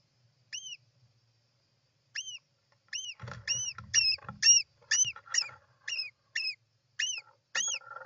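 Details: At a European roller nest on 29 June 2024, clear arched notes that rise then drop sharply repeat, at first spaced apart, then quickening to about two per second, with soft scratchy rustling underneath.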